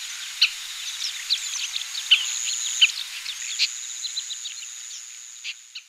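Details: Oriental pratincoles in Taiwan on 20 April 2016 give a scatter of short, sharp, chirping notes, several birds calling irregularly, over a steady high-pitched hiss.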